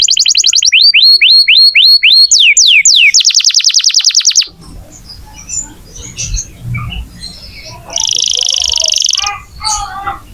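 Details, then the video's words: Canary in lively song, used to coax young or silent canaries into singing. It gives a run of repeated downward-sweeping whistles and a rapid trill, then quieter scattered chirps and a later buzzy trilled tour. "Kenari gacor untuk pancingan kenari muda atau macet bunyi"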